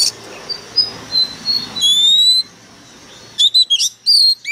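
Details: Fired-up decoy Oriental magpie-robin belting out a sharp song: soft wavering whistles, then a long loud rising whistle, and after a short pause a quick run of piercing notes.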